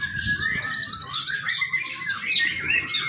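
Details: White-rumped shama, a young bird suited as a training lure, in a run of quick high chirps and slurred whistled notes that rise and fall without pause, with soft background hum.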